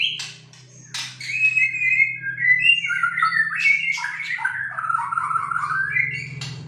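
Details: Juvenile Bornean white-rumped shama practising its song: a long wavering warble of rising and falling whistled notes with a few sharp chips, over a steady low hum.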